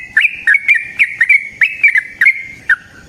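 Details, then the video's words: Yellow-vented bulbul giving a frequent, long rapid song meant to stir other birds into singing: chattering, liquid, slurred whistles in quick pairs and triplets, with short gaps between bursts. "Trucukan GACOR ngalas ROPEL PANJANG suara alam AMPUH buat pancingan"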